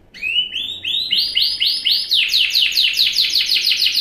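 A Yorkshire canary sings a string of bright, bouncing upslurred notes, about four a second, that speed into a rapid, ringing trill.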